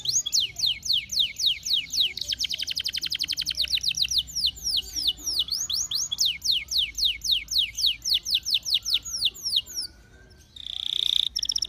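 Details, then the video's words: Lure song of a canary meant to set other canaries singing: extended rolling trills of quick downward-slurred notes that speed into a dense burst, then slower clear sweeps, ending in a short buzzy note. "pancingan suara kenari merangsang bunyi agar cepat gacor"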